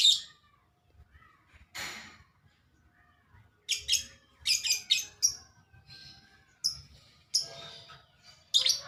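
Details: Sampit woodpecker, said to be very vocal: sharp, high, abrupt chips and squeaks in uneven clusters, some notes doubled or tripled, separated by short silences.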